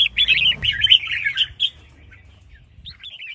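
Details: Female red-whiskered bulbul (Pycnonotus jocosus) calling to prompt males to sing: a quick run of bright, chattering notes for about a second and a half, then a softer burst, in otherwise quiet surroundings.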